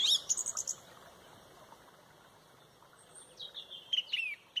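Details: A loud Song Thrush leads a dawn chorus at sunrise in Pontrobert, high bright chirping phrases, a pause, then a second burst of sharp descending notes over faint hiss.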